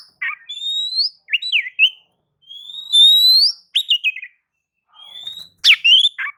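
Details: White-rumped shama song meant to provoke other birds into singing: clear whistled notes, long rising and level sweeps, broken by short gaps, then sharp descending slurs and chirps.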